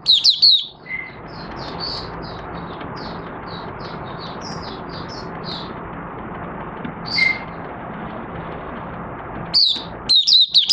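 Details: Oriental white-eye in a cage, starting to sing on 25 August 2022 after three months of training with an open cover and night sleep: a long run of soft, high chirps with a couple of thin whistles, ending in louder twittered bursts over background hiss.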